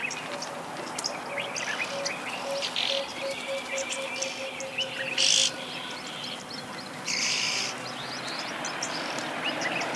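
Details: Red-billed oxpeckers, recorded in Africa, give short, harsh hissing rasps, two loud bursts among many thin chirps from other birds, with a steady pulsing insect-like tone beneath.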